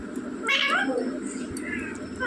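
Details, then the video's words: Talking rose-ringed parakeet mimicking the word mummy: one loud, harmonic, speech-like phrase midway, with sweeping bands, then quieter trailing syllables over a steady low background hum. "बोलने वाला तोता मम्मी पापा बोलने वाला तोता"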